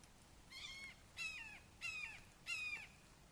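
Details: Wake Forest red-shouldered hawk nest, 29 May 2023 at 08:38, father arriving with a frog for a fledgling: four even, fairly distant kee-ah cries, each slurring slightly downward, spaced roughly 0.65 seconds apart.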